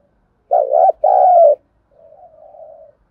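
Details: A spotted dove's lure call for training newly caught birds: a strong, hollow two-part coo, the longer second note sliding gently down, then a quiet, drawn-out coo that fades away.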